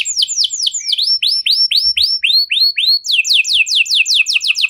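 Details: Cengkok mewah canary song used as a singing prompt for other canaries: series of clear downslurred whistles, each tour slightly different in pace, ending in a quicker rolling trill.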